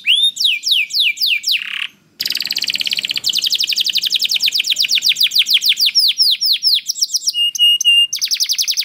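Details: Canary song played as a lure to get other canaries singing: fast trills of falling whistled notes, rolling buzzy phrases, then clipped whistles and a high sustained tone, continuous and loud with a brief break near two seconds.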